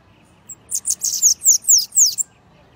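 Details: Bananaquit singing the Costa Branca song style: a quick run of about seven high, thin, wheezy notes, each sharply downslurred, packed into roughly one and a half seconds over a quiet background.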